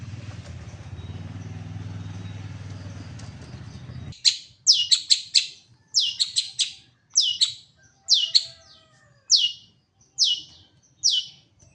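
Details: Caged long-tailed shrike in full song: after four seconds of low rumbling noise, quick clusters of sharp high chirps follow in short groups, then single clipped notes spaced under a second apart.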